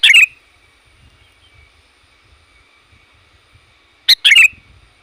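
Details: Calls of a sooty-headed bulbul used to attract wild bulbuls, loud and varied: a bright chattering burst at the start, a long quiet gap, then a sharp note and another fluttering chatter.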